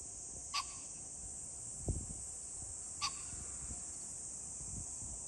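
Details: Pheasant recorded 21 July 2024, giving two brief harsh calls roughly two and a half seconds apart, with a dull low thump between them and a steady high-pitched buzzing hiss filling the background.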